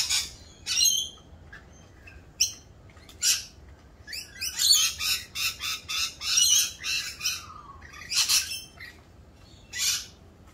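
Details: Raucous Rainbow lorikeets in mating season performing a mating dance, with shrill clipped squawks, then a fast stuttering series of harsh notes, then more spaced single screeches.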